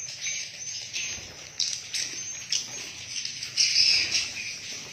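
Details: Swiftlets calling inside a swiftlet house: dense, high twittering chirps with rising bursts, a continuous overlapping chorus of many birds, with faint fluttering in the background.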